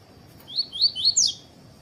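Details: Coleiro tui-tui song, played to stimulate other seedeaters to sing: four bright upslurred whistles in about a second, the last one higher and sharper, against a thin constant high-pitched tone.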